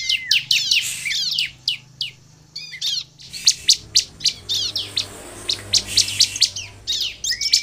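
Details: Sunda bush warbler song used to lure others into singing. Fast series of high, sharp, downslurred chips and short buzzes, some repeated in quick succession, with a faint hiss behind.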